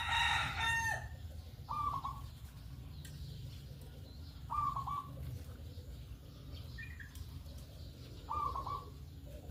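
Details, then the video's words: Zebra dove, a local bird, calling in the morning as a lure to make other doves call along: short, bright trilled coos repeated about every three seconds over a steady low hum, after a loud harsh burst at the start. "pancingan perkutut pagi hari Di jamin ikut bunyi"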